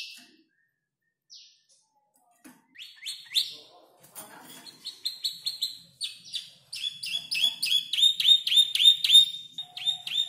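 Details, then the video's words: Five-month-old canary arranging a song learned from tutor birds like ciblek and prenjak lumut; starts sparse and quiet, then builds into rapid clicking chips and a fast, even trill of high notes. "Kicau burung kenari gacor noto lagu U 5 bulan"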